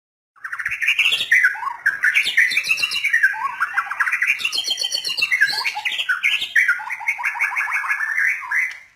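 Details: White-rumped shama singing a long, continuous, varied song of rich whistled and warbled phrases, with rapid trills and chattering runs that rise and fall, with no pauses.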